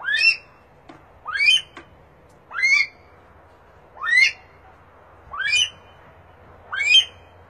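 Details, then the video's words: Himalayan monal giving six loud, harsh rising calls, one about every 1.4 seconds, against a quiet background. "Himalayan monal best voice"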